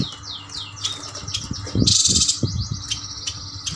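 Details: Kalimantan yuhinas, males and females kept caged together, give quick repeated down-slurred chirps, several a second, broken by a brief harsh rustling burst, with soft low thumps and a faint hum behind.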